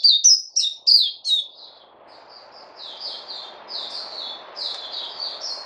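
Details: White-eye known locally as Puteh, 29 August 2020: a loud burst of five quick, high, down-slurred chirps, then softer continuous twittering of similar slurred notes over a faint murmuring background.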